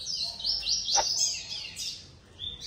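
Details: A captive male Blue-black Grassquit in a breeding aviary sings while competing with another male for the same single female, which is already nesting on two eggs. Its song is high, thin, buzzy chirps and twitters almost without pause, with one sharp downslurred note midway.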